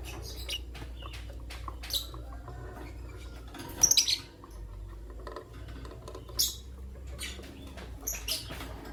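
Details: Green Personata lovebird with an albino lovebird in the morning, giving scattered short shrill chirps, a quick cluster of three near the middle, over a steady low hum and faint clicks.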